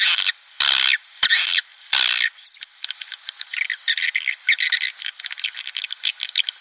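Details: Swiftlet calls played to lure breeding colonies into a nesting house: three or four loud, long rasping squawks open the clip, then give way to a rapid, uneven stream of faint high chirps.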